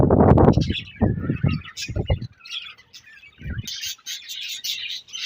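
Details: Budgerigars of a colony: heavy low thumping and rustling at first, giving way after a pause to a steady high chorus of chirps and twitters.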